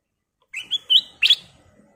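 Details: Kutilang emas, a golden-coloured Sooty-headed bulbul, gives a short lively phrase: three rising whistled notes climbing step by step, ending in a louder, rougher double chirp.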